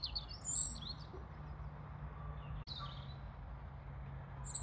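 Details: European robin singing, recorded on a phone: thin, high, wavering phrases separated by brief pauses, over a steady low rumble of wind or handling noise.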